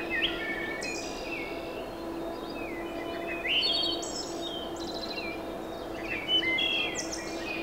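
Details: Wood thrush singing in Falmouth, Massachusetts, on 7 May 2015: flutelike phrases that rise and end in bright, ringing trills, with other birds chirping and a steady low hum behind.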